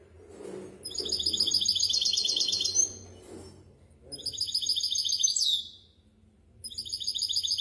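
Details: Misto hybrid canary song used for training chicks: three high rapid trills, the middle one closing with a sliding, falling note, with short silences between phrases.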